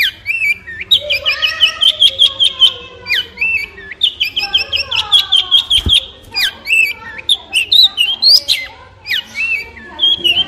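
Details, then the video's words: Long-tailed shrike in varied song: whistled phrases that slide up and down, mixed with sharp high ticks and short trills, delivered continuously with brief breaks. "Long Tailed Shrike With Beautiful Sound"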